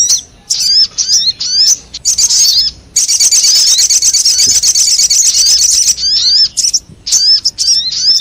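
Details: Lure sound of the sogon meant to bring wild sogon flocking: repeated high upslurred chip notes, then a three-second stretch of dense buzzy chattering, returning to spaced sharp chirps.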